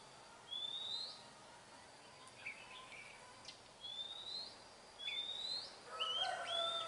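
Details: Oriental magpie-robin in the wild, singing a series of clear rising whistles repeated about every one and a half seconds, ending in a mixed burst of higher and lower notes, with low background noise.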